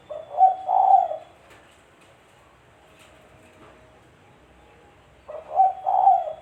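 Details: Spotted dove call used as a lure for trapping birds: a hoarse cooing phrase of a short note and two longer coos, repeated after about five seconds of quiet.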